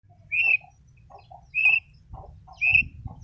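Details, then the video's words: Long-tailed shrike calls used as a lure to make a quiet or stressed bird sing: three loud, harsh, slightly buzzy notes about a second apart, with soft lower chatter between them and faint low hum. "pancingan cendet yg mles bunyi dan stres"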